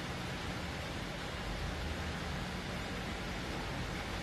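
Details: Only a constant broadband hiss fills the recording, with no calls or other distinct sounds.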